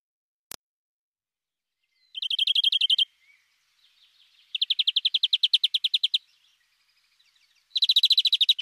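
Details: A European greenfinch sings three rapid, rattling trills, each lasting one to two seconds, separated by short pauses. A single click opens the recording.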